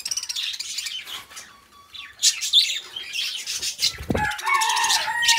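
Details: Pet budgerigars singing and chattering, with busy warbled chirps and squeaky trills; a louder section near the end brings sharper calls and a flapping or rustling burst.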